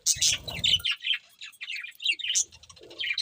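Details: Budgerigars chirp in quick, bright, high-pitched bursts of twittering and warbling, two loud phrases split by a short pause, with faint low rustling.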